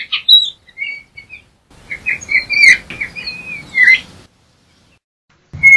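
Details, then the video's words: Yellow-backed Oriole (Icterus chrysater) giving a few scattered whistled notes, then a longer jumbled phrase of wavering whistles ending in a downward slur, followed by a short silence and one more note, with soft background rumble. "Turpial Toche Canto - Yellow-backed Oriole Bird Song - Icterus Chrysater"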